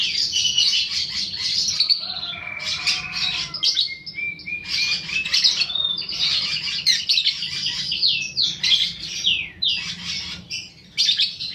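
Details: Young fighter-type lovebird used as a lure recording to stimulate other lovebirds into long chattering song; dense, fast, high-pitched chattering and squeaky notes in continuous bursts, with short pauses and a few lower rasping phrases near the start.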